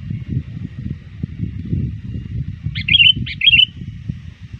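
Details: Trained sooty-headed bulbul calling rivals as dusk approaches: two quick bubbly, slightly descending chirped phrases near the end, over continuous low rumbling background.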